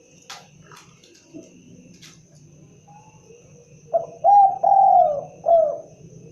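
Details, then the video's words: Spotted dove calling after a few seconds of quiet with faint clicks and low hum, then a four-part cooing phrase of two short coos, a long drawn coo and a falling closing note. "suara asli khas burung derkuku(Tekukur)"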